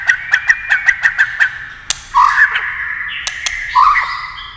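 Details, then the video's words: Competitive singing by a white-rumped shama: a fast run of about eight sharp clicks paired with short whistled notes, followed by rising buzzy slurs and a held whistle, with more isolated clicks. "kích chòe lửa hót đấu nhiều giọng"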